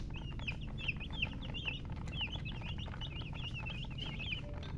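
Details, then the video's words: Chicks peeping continuously, with quick high chirps that rise and fall, closely spaced and overlapping, against constant low-pitched background noise. "Baby "Chicks Chirping" Sound"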